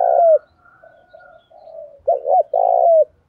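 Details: Spotted dove in 'thổ' voice mixed with 'thúc rút đấu' fighting coos, used to get newly caught doves cooing; a loud coo ending, a run of soft murmured notes, then a full phrase of two short hoots and a long sustained coo.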